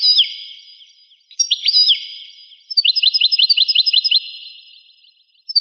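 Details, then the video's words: European goldfinch, rare recording dating to 1985. Downslurred liquid notes, then a neat series of about ten evenly repeated bright chirps, fading out, with a final note at the close. "تغريد طائر الحسون ناذر يعود إلى 1985"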